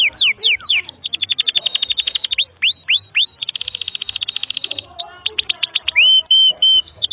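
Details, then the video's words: Canary delivering a long continuous song used to teach young canaries, mixing curved downslurred whistles with fast mechanical trills and ending in long steady high whistles. "Kenari GACOR PANJANG INI Cocok untuk Masteran KENARI PAUD dan Kenari Macet BUNYI"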